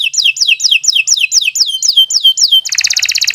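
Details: Canary singing for training beginner birds: a steady series of down-slurred whistled chirps about four per second, switching into a fast, buzzy, rattling trill.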